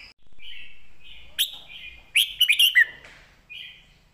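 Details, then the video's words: Caged red-whiskered bulbul giving a clear southern-style master song used to train other caged birds: soft whistled notes, then a loud, quick burst of four or five warbled, bubbling notes, then a softer whistle. "ครูเพลงแม่บท"ร้องชัด สำนวนใต้แม่บท นกเสียงทอง"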